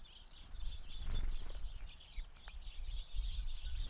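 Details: Crowded feeder flock of house sparrows in a continuous wash of high chattering chirps, broken by brief wingbeat flutters over a low background rumble.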